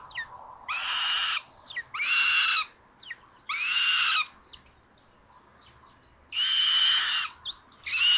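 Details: Common buzzards at a nest filmed by a solar-powered live nest camera in Tiszalök, Hungary, on May 30, 2022 at 06:18, as a sister steals prey from her brother; harsh, raspy screeches under one second long, repeated irregularly with brief quieter notes between.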